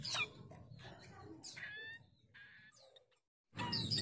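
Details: A chestnut-capped babbler recording used as a lure to attract rivals: harsh chattering bursts mixed with short ringing whistles, breaking off briefly before a loud final burst of chatter.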